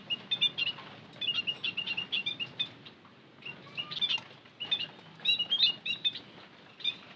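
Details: White-headed munia lure sound: dense clusters of thin, high chirps and squeaky tweets in quick runs, a short lull near the middle, then more chattering bursts.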